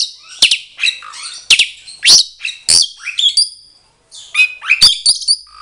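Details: Asian pied starling pair kept for breeding sing back and forth, showing they are matched: dense run of shrill chatter, squeaks and whistled notes, a brief pause, then more piercing squeals.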